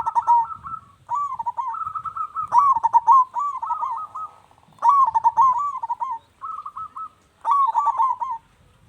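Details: Cooing song of a zebra dove, sung to make other doves reply: rapid stuttered notes rolling into trilled, wavering coos, given in several closely spaced phrases with brief gaps and little background noise.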